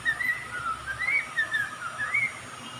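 A songbird gives clear, mid-pitched whistled notes that slur up and down in a run of about six phrases over three seconds, over a faint steady hiss.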